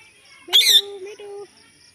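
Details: A talking parrot gives a short shrill screech, then a steady, voice-like tone broken into two syllables, in a quiet room.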